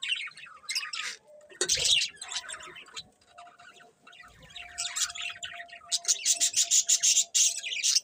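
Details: Several budgerigars chirping: busy high-pitched chatter and warbling with bursts of quick repeated tweets, growing denser toward the end, over a faint steady hum.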